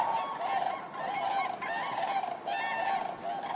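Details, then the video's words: Common cranes in full chorus, loud resonant trumpeting rising and falling in waves, with strong bugled calls cutting through the massed honks of many birds. "Common crane | Crane Bird Sound Effects"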